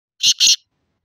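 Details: Black francolin calling: two loud, harsh, grating notes in quick succession, the second slightly longer, then silence.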